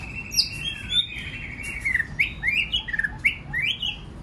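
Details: Many-voiced white-rumped shama song used to stimulate other birds to sing: a long clear whistle followed by quick swooping notes, bright upslurred whistles and short chattering trills in fast succession.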